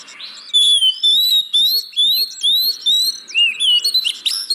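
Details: Oriental magpie-robin song used as a lure to make reluctant caged birds sing: clear whistled notes sliding and rising around mid-high pitch, delivered in repeated bursts with sharp high chirps above and faint low echoes.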